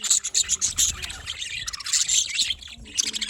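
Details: In the morning, a flock of budgerigars keeps up continuous high, twittering chirps and squeaks, dipping briefly in the middle before rising again.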